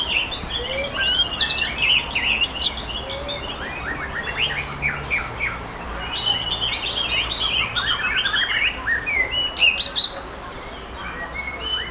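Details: Wild-caught Sumatran white-rumped shama singing at a Bengkulu bird contest. Dense, rapid song of sharp chirps and quick up-slurred whistles pours out almost continuously for about ten seconds, with brief pauses and a low background hum.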